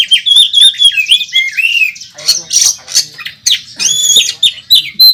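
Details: National champion Oriental magpie-robin fighting on a contest track with a fill-in-rich song: rapid whistled trills sliding up and down, then harsh, noisy squawks and chips in uneven bursts.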